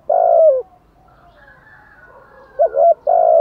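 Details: Spotted dove, known locally as cu gáy, giving kích bổi coos: a long sustained low hoot, a pause, then a short double note leading into another drawn-out coo.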